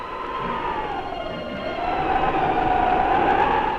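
A steady mechanical drone with a humming tone that dips and rises over broad rushing noise, like an engine or vehicle; no animal calls.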